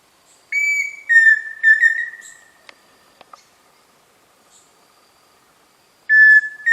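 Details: Pheasant cuckoo giving clear, pure whistled notes: a short higher note, then two longer slightly falling whistles in quick succession, silence with faint clicks, and another whistle beginning after about six seconds.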